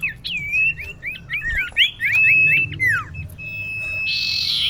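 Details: Female common iora calling a male, used as a lure: a fast series of about a dozen short whistled downslurs, then a long level whistle ending in a buzzy rasp.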